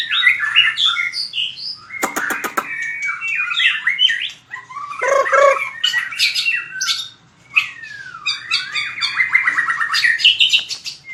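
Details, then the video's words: White-rumped shama fighting song for voice training: a mix of whistles, harsh squawks and a burst of clicks, ending in a fast trilled run and high notes. "Luyện chòe lửa hót đấu/luyện giọng chòe lửa/kích lửa shama bird"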